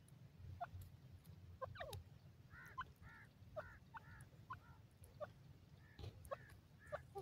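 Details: Grey francolin calling in forest with green grass: a faint series of short arched, harmonic nasal notes repeated roughly every half second, amid scattered clicks and a steady low rumble.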